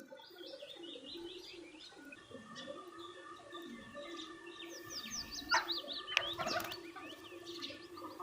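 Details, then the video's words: Birds chirping while eating food: rapid high chirps and short downslurred notes repeated irregularly, about two and a half per second, over steady low tonal humming, with louder overlapping chirps near the end. "bird chirping sound | birds chirping sound effect | birds eating food videos"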